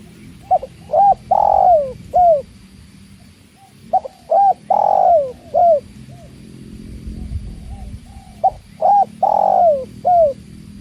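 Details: Spotted dove (tekukur) calling beside water, three phrases of short cooing notes ending in a long drawn, falling coo, each phrase repeated about every four seconds over a low steady water rush.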